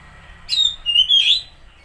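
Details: Short whistled phrase from an Oriental magpie-robin, played to lure a stressed or non-singing bird: two bright sliding notes, one falling then one rising, in under a second.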